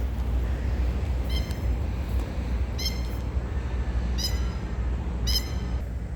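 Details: Masked lapwing in Australia giving four sharp, ringing high notes about a second apart over a loud, steady rumble of heavy machinery during bulldozer cylinder repair.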